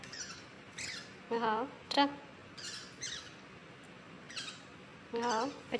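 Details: Pacific parrotlet that has learned to say "go home" in Chinese, giving short harmonic speech-like phrases near 1.5 and 5.2 seconds between thin, high chirps, with a person's voice saying hello nearby.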